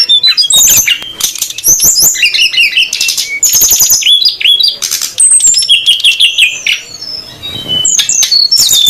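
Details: Lure recording of Sooty-headed Bulbul (srdc), female and male calling noisily, meant to draw wild birds in: dense overlapping high chirps, whistles and rapid trills with sharp clicks, almost no pauses.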